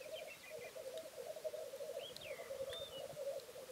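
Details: Steady low bubbling coos of a male black grouse displaying on a bog, with short descending whistled notes and a clear curved whistle from another bird above.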